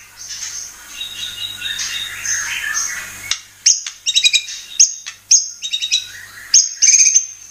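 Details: White-rumped shama lure song used to provoke birds into singing and showing their repertoire: a soft jumble of high chirps, then after an abrupt cut, loud sharp bursts of clustered high notes and ringing whistles.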